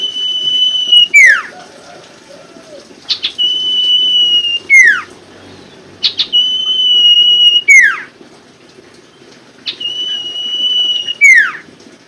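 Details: Common Iora song used to coax birds that stopped singing: four long, steady whistles, each held about a second and a half before dropping in a quick downslur, repeated every three seconds or so.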